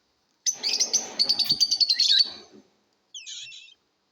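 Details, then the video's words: Competing lovebirds produce a two-second run of fast, harsh, pulsed chirps with low rumbling background noise, then a pause and a short buzzy chirp. "Love BIRDS ChAPRING SOUNDS COMPETITION"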